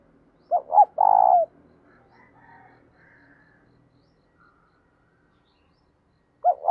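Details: Spotted dove song meant to rouse caged doves: a double note and a rolling coo open the passage, faint soft sounds follow during a long lull, and another pair of coo notes starts at the end.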